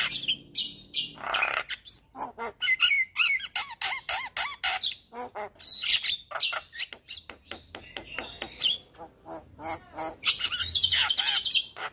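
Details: Javan myna training song meant to prompt reluctant birds to sing: dense harsh chatter and squawking notes packed tightly together, mixed with squeaky rising whistles and a long raspy buzzing phrase near the end.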